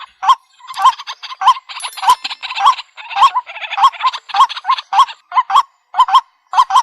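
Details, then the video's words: White-breasted waterhen giving harsh, croaking 'kruak' notes, repeated nearly twice a second in an insistent, slightly uneven run; no other sounds are clear. "ডাক পাখির ডাক | Dahuk Pakhi Dak | Waterhen Bird Ringtone | Suara Ruak Ruak Call"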